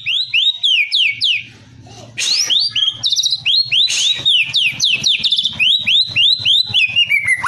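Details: White-rumped shama trained for a song contest gives a fast series of sharply downslurred whistles, several per second, briefly interrupted, then resuming in a steady rhythm over a faint low hum.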